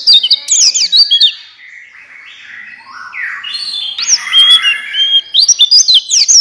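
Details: Buxtoni white-eye lure song meant to make other white-eyes sing: high twittered notes at first, then a softer, smeared warbling passage, ending in sharp rising and falling chirps.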